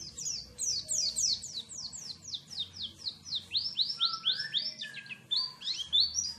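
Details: Oriental white-eye singing a fast, sustained run of high sweet descending whistles, many notes per second, briefly dipping into a few lower warbled phrases before returning to the bright high cascade.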